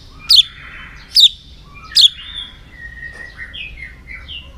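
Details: White-rumped shama song used to stimulate and train other shamas: three sharp, high, downslurred notes about a second apart, followed by soft, faint whistles.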